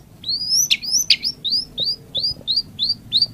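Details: White-rumped shama song: a steady string of clear, high whistled notes, each sliding downward, delivered quickly one after another, with two harsher bursts early on and a soft low background hum.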